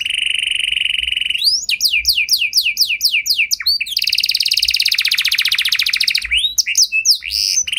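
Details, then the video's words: Canary song meant to prompt other canaries to sing in reply: a steady whistled tone, then fast repeated downward-sweeping notes, a long rapid buzzy trill, and more sweeping notes to finish. "Kenari Gacor Lagu Istimewa! Langsung Nyaut Kenari Mana Saja Dengan Suara Burung Kenari Ini"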